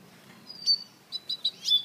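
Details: African citril mule, a hybrid cage bird, giving a brief run of thin high whistled notes, a lone note followed by four quick chirps in under two seconds.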